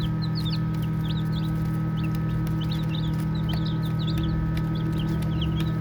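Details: Baby chicks playing and peeping rapidly, clusters of high, sharp chirps around three per second from several birds, over a steady low hum.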